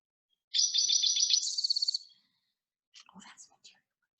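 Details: Male Spotted Towhee singing in spring on Protection Island from medium-high treetops to mark territory: one fast, buzzy, high trill about a second and a half long, quickening at the end, then faint sounds, possibly a voice.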